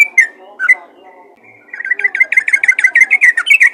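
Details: Yellow-vented bulbul giving a rapid, lively call to summon other bulbuls: a few scattered liquid notes, then a fast run of bubbly, slurred notes near the same pitch, repeated several times a second.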